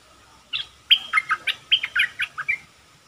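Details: Caged red-whiskered bulbul decoy bird used for trapping, singing its 'dok' phrases: after a short silence, a quick run of about ten bright, warbling, slurred notes rising and falling in pitch over two seconds, with a faint steady hum beneath.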